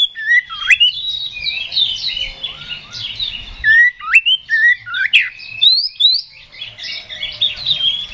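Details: Fighting Oriental magpie-robin (kacer) in full loud song, meant to rouse rivals into response. Dense mix of quick chirps, upward-sweeping whistles and sharp clicks, with short bursts roughly twice a second.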